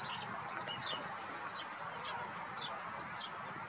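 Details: Common tern recorded 26 May 2022 at a gravel pit in Blato, Zagreb, Croatia; scattered high, harsh, falling notes, brief and irregular, heard over constant broadband hiss.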